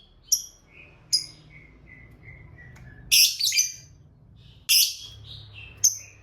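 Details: Fighter lovebird lure calls meant to make quiet lovebirds reply: sharp chirps and soft descending whistles, broken by two loud, harsh, rasping bursts of chatter.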